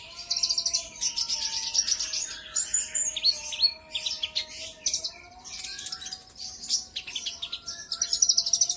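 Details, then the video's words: Lure song of a brown-throated sunbird for provoking other birds: dense, shrill twittering and squeaky chirp runs at high pitch, rising and falling in bursts, with a steady humming tone in the background. "Pancingan burung konin kolibri ninja auto gacor"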